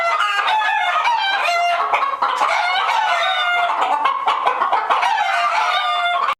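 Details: Disturbed chickens crowded in a henhouse keep up a loud, unbroken racket of cackles and shrill clucks that ends abruptly.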